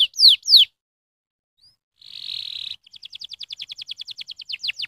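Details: Canary stimulating song: two loud down-slurred whistles, a pause, a buzzy rattle, then a rising series of quick, evenly repeated chips.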